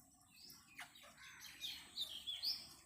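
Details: Parrot calling: a run of short, high whistled chirps and sweeping notes that grow louder and more frequent toward the end, over a steady low background hum.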